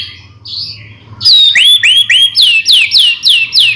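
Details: Song of a white-rumped shama (murai batu) meant to provoke other shamas into singing: a soft warble, then loud clear downward-sweeping whistles repeated roughly every third of a second over a faint low hum.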